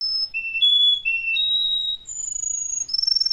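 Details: Russian canary song of pure, flute-like whistled notes held at steady pitches, stepping between low and high tones, with a rapid fluttering tremolo near the end; clean, quiet background.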